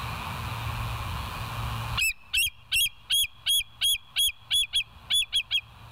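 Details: Bald eagle at West End on a live nature camera, 16 September 2023, 22:50; after two seconds of low hum, about twelve loud, sharp, high piping notes ring out at a quick, slightly uneven pace of about two per second.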